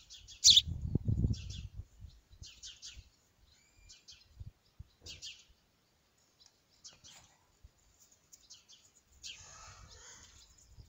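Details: A young house sparrow on its first flight gives short, high chirps in loose bursts, about one or two each second, with low thumps near the start and a burst of rustling noise near the end.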